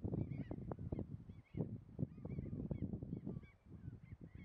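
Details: Two tundra swans (Cygnus columbianus) at Munsö, Ekerö, Sweden, on 2 April 2021 give a busy chorus of soft, yelping honks, calling over one another, with a steady low rumble of wind beneath.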